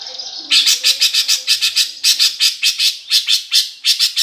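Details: Greater green leafbird in sparrow-fight song, a lure for competition birds: after a brief high note, loud harsh chattering bursts in paired pulses, repeated steadily at about three per second.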